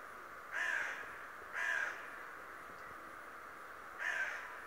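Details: Talking raven giving three coarse, grating caws, the first two a second apart and the third after a longer pause, with only faint steady noise around.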